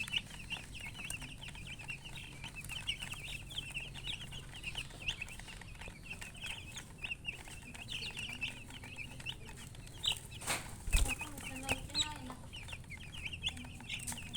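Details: Many baby chicks chirping in a steady chorus of high, thin peeps repeated several times a second, with a brief louder knock or thump near the end and a low hum throughout.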